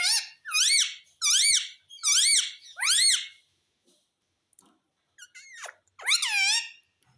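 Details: Talking pet parrot indoors giving loud, ringing squawks that rise and fall in arches, repeated in quick bursts, followed by softer clicks and a final pair of shrill calls.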